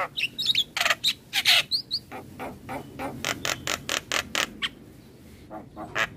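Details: Morning Javan myna song of loud harsh bursts and a few brief whistles, then a long even series of rasping clicks before fading to quieter notes.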